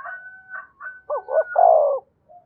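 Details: Spotted dove from Đồng Nai, Vietnam, giving calling and urging coos meant to stir wild doves: soft hollow notes, then a double looping coo and a long falling croo, beside a steady thin whistled tone.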